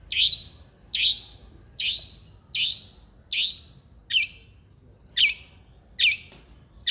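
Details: Long-tailed shrike, used to prompt a lazy caged shrike into singing: a loud, sharp downward-sweeping note repeated about once a second, nine times, with a quiet background.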